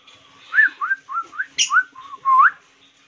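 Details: Hill myna, known for mimicking human words, whistling a series of about seven clear, rising and falling slurred notes spaced closely, ending in a longer upswept whistle. A person praises it afterward in Hindi.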